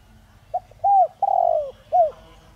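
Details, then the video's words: 'Đồng Rặc'-voiced spotted dove serving as a decoy to provoke calling: one complete phrase of a short note, an arched coo, a long wavering descending coo and a crisp final coo, over soft low rumble. "Chim cu gáy Giọng Đồng Rặc kích bổi nhanh nổi/cu gáy mồi cây kích bổi nhanh gáy"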